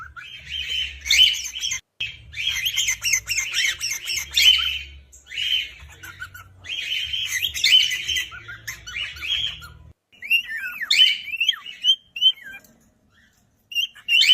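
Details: A pet cockatiel chatters in harsh, scratchy bursts, then breaks into clear rising and falling whistles and chirps.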